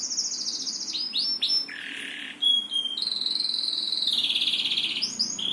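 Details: Singing bird: high trills, a few sweeping slurred notes and a buzzy stretch, then a long rapid high trill and a final short flourish.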